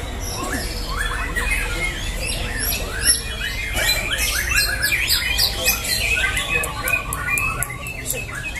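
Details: White-rumped shama (murai batu) in a singing competition, fast varied whistles, rattles and sharp ticking notes in quick succession, with other birds and a low hum in the background.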